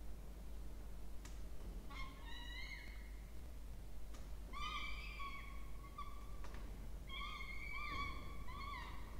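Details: Two peregrine falcon chicks being fed in a nest box in a water tower at Charles Sturt University, Orange, New South Wales, Australia, 20 October 2024; drawn-out whining harmonic calls come in bursts of several notes, separated by faint clicks and knocks.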